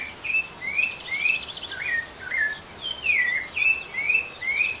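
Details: Rufous-bellied thrush song, used to stimulate other kept birds to sing: a steady sequence of short, clear whistled phrases, each slurred up or down, repeated about twice per second over a constant background hiss.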